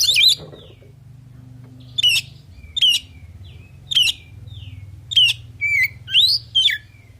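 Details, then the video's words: A male oriental magpie-robin sings a fill-rich song to make other birds reply: a harsh opening burst, then spaced sharp chirps, short falling notes and a flat whistle, over a steady low background hum. "Suara Burung Kacer Full Isian Di Jamin Langsung Saut Sautan"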